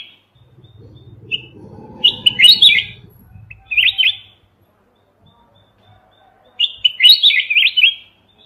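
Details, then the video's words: Mountain red-whiskered bulbul recorded without background noise for use as a trapping lure, giving three short, bright phrases of quick warbled, chirping notes separated by pauses of one to two seconds. A faint low rumble sits underneath at first. "Chào mào núi không tạp âm"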